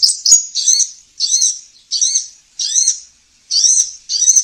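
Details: Sunbird (sogon) lure recording for stimulating caged birds. Evenly spaced, very high buzzy phrases with downslurred notes come about every 0.7 seconds, separated by short silences.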